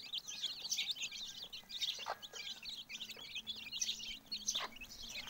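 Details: Chicks with their mother hen: a dense chorus of high, rapid peeping chirps fills the clip continuously, with a few short, lower clucks standing out near the two- and four-and-a-half-second marks.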